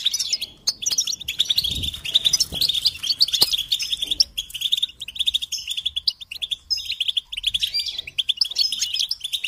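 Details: Goldfinch song for stimulating songbirds: quick bright chirps and liquid trills repeated in lively phrases, with a few soft low knocks in the background.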